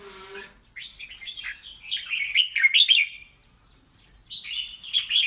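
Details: Red-whiskered bulbul from Laos giving a rapid, jumbled warble of cheerful chirps and rolling whistles lasting about two seconds, a short silence, then a fresh bubbly phrase.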